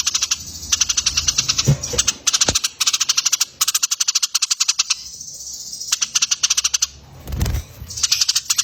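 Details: Eurasian tree sparrow on a contest-bird training recording: repeated bursts of fast, shrill chirps, with a few low thumps and soft background noise between runs.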